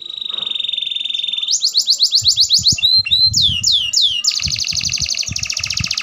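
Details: Song of an F1 canary from a breeder: a long steady whistled tone, then rising and falling slurred notes and a long, very fast high rolled trill, with soft knocking and rustling below.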